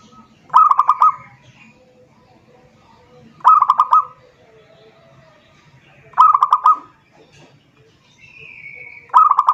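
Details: Zebra dove calling a rival, used as a lure: four short phrases about every three seconds, each a quick stutter of clipped, rolling cooing notes ending in a longer coo, with a faint low hum between phrases.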